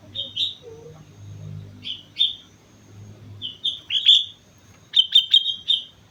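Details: Sooty-headed bulbul singing actively on Mount Slamet: scattered short whistled phrases, then a fast burst of four crisp notes near the end. A few faint lower chirps and a soft low hum sit behind.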